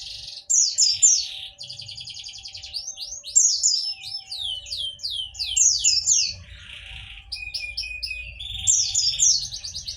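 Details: White-eye song used as a lure to prompt lazy or silent white-eyes to answer: a dense, high, rapid twittering of quick chirps, trills and descending slurred notes, almost continuous for ten seconds, with a faint low rumble beneath.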